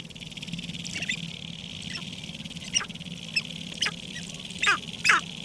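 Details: Sharp-tailed grouse calling at a spring lek near Regina, Saskatchewan, Canada, 14 April 2012: scattered quick descending clucks and chirps, louder toward the end, against a constant high-pitched background hiss.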